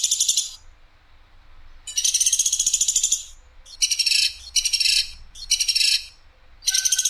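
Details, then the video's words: Platuk sampit woodpecker on an Indonesian tutoring recording noted for clear, rough and sharp bursts: high buzzy rattles of rapid pulses, one long burst then several short ones in quick succession, separated by brief silences. "PLATUK SAMPIT suara jernih nembak kasar dan tajam"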